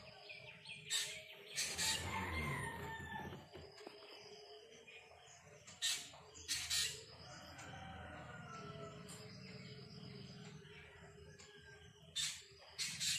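Black drongo gives harsh, metallic chattering notes and sharp clipped calls in irregular bursts, about one a second, over a low background hum.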